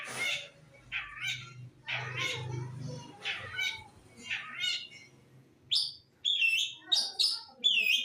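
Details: Long-tailed shrike from East Java singing: harsh, scratchy broadband bursts in irregular phrases for about five seconds, then a run of sharp high whistled and chattering notes with short gaps between them.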